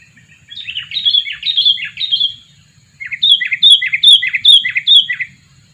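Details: Two-year-old sooty-headed bulbul kept as a lure for catching birds, calling loudly in two runs of quick, clear, bubbly notes, each run of five or six repeated phrases, separated by a brief pause; faint low hum underneath.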